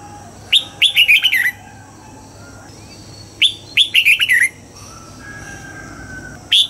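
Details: Morning song of a red-whiskered bulbul, a double-note wild-style phrase meant for training: two bursts of five or six quick whistled, slurred notes about three seconds apart, plus the start of a third; faint hum behind.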